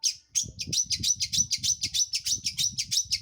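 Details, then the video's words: Long-tailed shrike song used as a lure to provoke other birds into singing: rapid, harsh high chattering notes repeated about three times a second, with faint low rumble beneath. "PANCINGAN CENDET GACOR"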